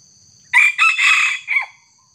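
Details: Red junglefowl crowing where a small decoy cock is pitted against a young wild junglefowl: an abrupt, loud three-part crow with a sharp first note, a long raspy middle section and a short dropping finish, with a faint insect drone behind it.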